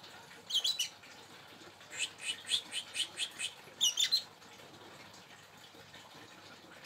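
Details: A local canary in moult gives short, high chirps in scattered bursts, including a quick run of about six even notes, with quiet pauses between.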